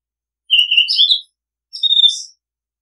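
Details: Two rich, warbling phrases from an Oriental magpie-robin, taken from a decoy-bird calling recording, each about three quarters of a second long with mixed whistled and chattering notes and a short gap between them.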